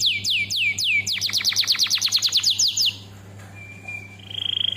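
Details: Canary lure and master song: slow descending chirps quicken into a rhythmic trill of sweeping notes, then soft steady whistles, with a constant low electrical hum beneath.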